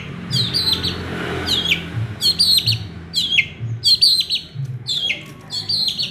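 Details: Long-tailed shrike singing persistently with a repertoire full of small-bird imitations: short, high, sharply descending chirps and twittered notes, delivered in quick bursts roughly every second, with a faint low hum underneath.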